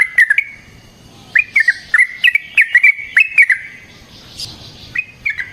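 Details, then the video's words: Lure recording of a vocal yellow-vented bulbul: short groups of bubbling, chattering notes separated by brief silences, ending with a couple of single chirps; quiet background. "Burung TRUCUKAN GACOR Ropel Panjang Cocok untuk PANCINGAN Trucuk bahan dan MASTERAN Burung Trucukan"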